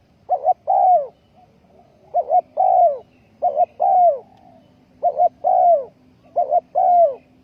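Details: Spotted dove serving as a ground decoy for trapping, 20.04.2020, cooing five times in steady succession, each phrase a short wavering note then a sustained, falling coo, with a faint low hum beneath.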